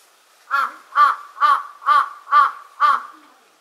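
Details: Large-billed crow at Senjojiki on Mount Hakodate, Japan, giving six loud, hoarse caws in an even series about every half second, each harsh and slightly nasal, with a quiet background.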